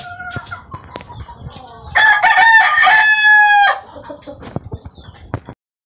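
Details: Barred cream Leghorn rooster: scattered clucks and clicks, then a loud, sustained crow of nearly two seconds with a rich harmonic tone, trailing off into soft clucking.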